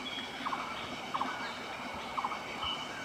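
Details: Great hornbill at Panbang, Royal Manas National Park, Bhutan, on 27 April 2018, giving short, hoarse barking notes in quick pairs, repeated roughly every second, over a steady background hiss.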